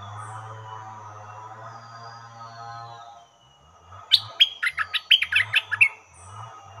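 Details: A caged stripe-throated bulbul, kept as a lure bird for catching wild bulbuls, gives a quick two-second burst of bright, bubbly chattering notes, preceded by a steady low droning hum.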